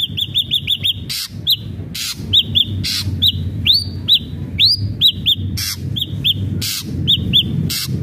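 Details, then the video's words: Ashy drongo song used to stir a captive bird into singing: clear arched whistles repeated in quick pairs and runs, a few rising upswept notes, broken by sharp broadband clicks over a steady low hum. "SRIGUNTING ABU ABU GACOR PALING CEPAT BIKIN SRIGUNTING BAHAN JADI GACOR"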